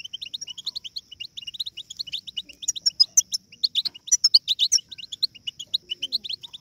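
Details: Several European goldfinch chicks babbling together, a recording for stimulating goldfinch singing: rapid irregular high chirps, about two a second at first, thickening into a denser twittering burst midway, over a steady thin high tone.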